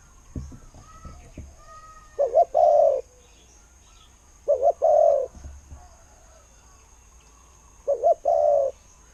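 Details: Decoy spotted dove coos three times in the "ku-ang" style, each phrase two quick notes then an extended steady coo, about every three seconds, with faint chirps and a few low thumps at the start.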